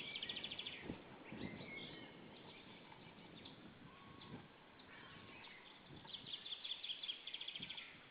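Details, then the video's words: White-tailed eagle pair at their nest in Saunja, Estonia, 26 April 2013 at 19:20, arriving and shouting toward another white-tailed eagle; rapid high yelping series at the start and again near the end, with rustling and low thumps at the nest. "Saunja Sulev arrived shouting than came Linda, both shouting to another WTE"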